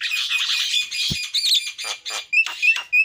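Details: Javan myna singing: a harsh grating rasp, a short squeaky whistle, then scratchy broken notes and clear ringing whistled pips, with a single low knock.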